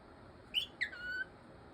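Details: Pet cockatiel playing with a toy dragon, kissing and playing peekaboo: a short high chirp, then a longer whistled note sliding down and levelling off, heard between a person's baby-talk phrases.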